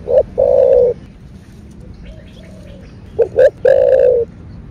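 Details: Spotted dove in 'thổ bầu' voice, a calling and urging coo: a short note and a long hollow coo, a quiet pause with a soft distant murmur, then two clipped notes and another sustained coo.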